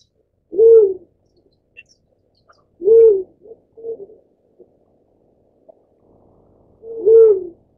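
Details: Black-chinned fruit dove (Ptilinopus leclancheri) giving low, hollow hoots about two seconds apart, each a short even note, with a few softer murmured notes between.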